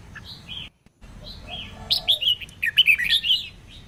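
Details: Female red-whiskered bulbul singing to stimulate males to sing: after a brief silent gap, a run of loud, clear warbled whistles with rising and falling slurred notes, some quieter lower whistles beneath.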